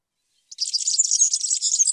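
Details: European serin singing: after half a second of silence, a fast, high, jingling twitter starts and runs unbroken to the end, a dense stream of tinkling, buzzy notes with no other sounds.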